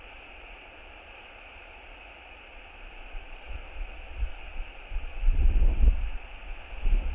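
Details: Steady broadband wind hiss with a faint hum, then heavier low rumbling gusts buffeting the microphone in the last few seconds, with no animal calls.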